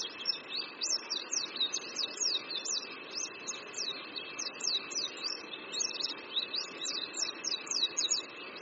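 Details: Spring song of an Oriental white-eye by a creek at Qingdao University, Shandong, China: a continuous, fast twittering of thin high slurred notes with a faint steady hum behind.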